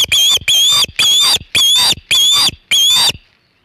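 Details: Osprey at Hog Island nest with a big shad, about 3:50 pm EDT on 27 August 2019: six loud, strident whistled cries, each slightly wavering and rising, spaced about half a second apart, then silence.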